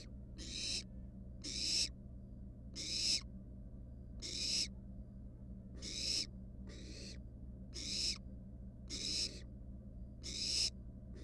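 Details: Wild barn owl nestlings at their nest box, one resting atop a mouse: harsh, breathy hissing screeches repeated steadily, roughly once a second, each about half a second long, over a low steady background hum.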